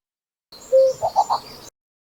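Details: Common cuckoo in spring, a brief call made of one steady flat note followed by three quick, rounded bubbling notes, loud and clean against silence.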